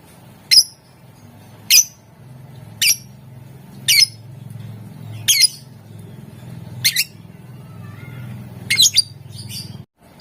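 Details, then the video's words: Caged lovebird calling to prompt other lovebirds to sing: sharp high squawky chirps repeated about once a second, a faster cluster near the end, over a low steady hum. "Ampuh buat Burung LOVEBIRD ikutan Gacor, Dijamin Puass Sama suaranya"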